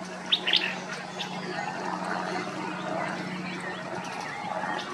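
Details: Olivaceous elaenia at Reserva Ecológica Costanera Sur, Buenos Aires, Argentina: two or three short, sharp high notes in quick succession near the start, then only a steady low hum and soft background rustle.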